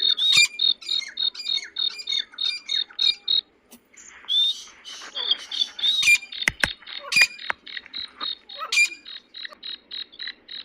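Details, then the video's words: Black francolin (kala teetar) call for attracting and exciting francolins: a long rapid series of scratchy, chattering high notes, a short gap, then louder harsh grating phrases mixed with sharp clicks. "Teetar ko Jaldi bulani aur Masti men lane wali Awaz تیتر کو جلدی بلانے اور مستی میں لانے والی آواز"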